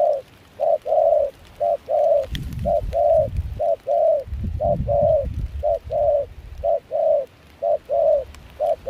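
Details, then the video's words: Spotted dove used as a decoy for dove trapping in Kon Tum, wild-caught with a mixed foreign voice, in chilly wind and rain; regular short-long coo pairs about once a second, with two bursts of wind rumble. "Gác cu khi trời mưa gió se lạnh.bổi giọng pha nước ngoài chơi tốt."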